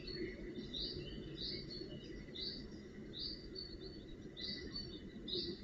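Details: High, repeated calls from Northern goshawk fledglings being fed and tended at the nest in June 2018 arrive in pairs and singles about every second, over a persistent hiss and low rumble.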